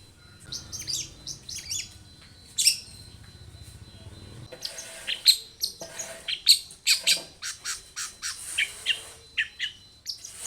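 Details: Long-tailed shrike delivering full varied song as a lure to make other shrikes sing: sparse high scratchy notes at first, then a rapid, dense stream of harsh downward sweeps and chips.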